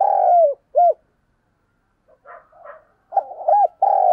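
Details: Spotted dove cooing, played as a decoy to lure doves: a long mellow descending coo and a short hooked note, a pause with faint soft notes, then a quick run of short coos ending in another long drawn coo.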